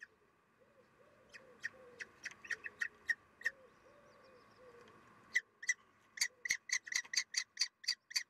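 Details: Common kestrel nest during feeding, female feeding chicks, morning of 3 June 2021; short sharp chirps, scattered at first, then a fast, louder, evenly spaced series of clipped notes over a low hum.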